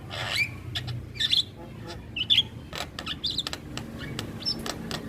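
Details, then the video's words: Singing male Javan myna, recorded as a natural sound: sparse harsh chips and clicks alternating with short high whistled notes, delivered irregularly over steady low background noise. "Suara Alam Jalak Kebo Jantan"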